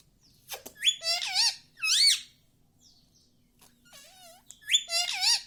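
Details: A pet parrot talking, imitating Hindi words such as mummy, papa and mithu; three bursts of squeaky, high-pitched, speech-like phrases with wavering, sweeping tones, separated by short pauses and a few faint clicks.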